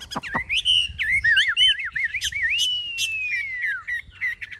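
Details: A big-bodied caged Chinese hwamei with a fanned tail sings loud, fluid wavering whistles that run into one long sliding note falling away, followed by short chips.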